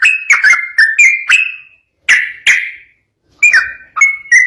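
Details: {'caption': "Yellow-vented bulbul singing in the rapid 'ropel' style meant to set other bulbuls singing back: short bursts of liquid, bubbly whistled notes, then brief silent pauses before the next phrases."}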